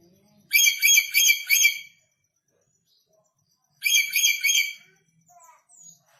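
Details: Red lory just brought from North Maluku and still fierce: a volley of four harsh screeching notes, a pause, then another grating burst, with faint whistles afterward.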